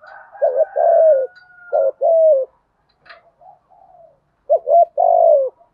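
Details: Deep-voiced spotted dove giving fast 'thúc gù' coos: paired short notes leading into a long sliding coo, repeated after a pause filled with faint, soft murmuring notes.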